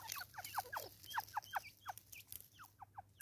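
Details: Natal spurfowl in South Africa, a rhythmic series of harsh, downward-sweeping notes at about 76 per minute, uneven in spacing and fading toward the end, over a light background hum.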